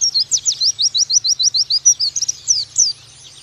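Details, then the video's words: An Oriental white-eye sings a fast, high, sweet twitter of about a dozen quick slurred notes in two seconds, ending in a few looser chirps, over a faint low hum. "Pleci Bakalan Nembak Pake masteran ini!!!"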